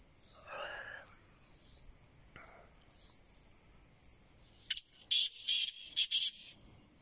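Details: Black francolin calling: after faint scattered sounds, a loud harsh phrase of about six rasping, broadband notes bursts out near the end, with a steady high hiss throughout.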